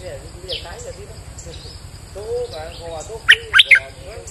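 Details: Bulbul singing eagerly as a lure on a rainy day, with soft, wavering warbling notes building into three loud, sharp, high chirps near the end, over low background noise.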